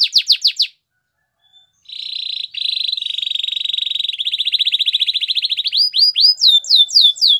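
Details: Canary song for training: a few quick swooping whistles, a short pause, then a long buzzy rolling tour of rapidly repeated notes that speeds into clear descending whistled syllables.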